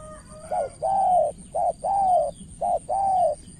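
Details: In Cà Mau, Vietnam, a decoy spotted dove calls toward a skilled rival: three quick pairs of a brief hollow coo and a stretched, gently falling note, with a steady faint hum in the background.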